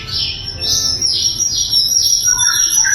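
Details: Loud, clear sikatan londo flycatcher song recorded as a training recording for songbirds. High, bright chattering notes and thin whistles run continuously, with a few lower whistled notes near the end.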